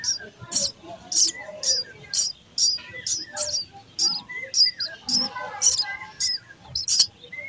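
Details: A run of evenly spaced, shrill chirps, nearly two per second, from sparrow nestlings being fed, over quieter warbling twitters.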